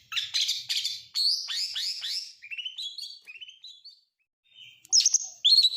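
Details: {'caption': 'Oriental magpie-robin mimicking lovebird, canary and prinia: a quick scratchy chatter, a series of slurred whistles stepping downward, a short silence, then two shrill, squeaky, abrupt notes.'}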